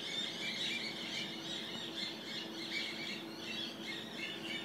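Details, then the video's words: Peacock at Montsalvat, Eltham, Victoria, Australia, calling with loud, strained squawks that rise and fall in repeated bursts roughly every second, over a constant outdoor background hum. "Montsalvat Peacock"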